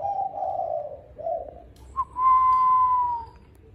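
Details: Spotted dove calling in the evening near mealtime: a soft low coo, a short second coo, then a long, pure, steady whistled tone that slowly falls.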